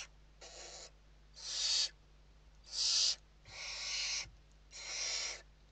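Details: Western barn owls at a nest in Spain, filmed inside the nest box during evening feeding on 29 November 2023. Broadband rasping hisses, each about half a second long, come in a steady series with short gaps between them.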